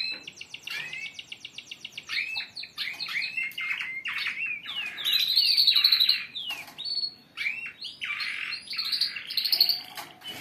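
Several canaries sing together in rapid, bright trills and rolling chirps, with high whistled notes and fast repeated phrases filling the air.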